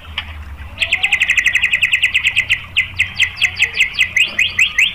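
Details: White-rumped shama song used as a lure to provoke other shamas: a fast rattling series of bright chirps repeated about twice a second, steady after a brief opening note.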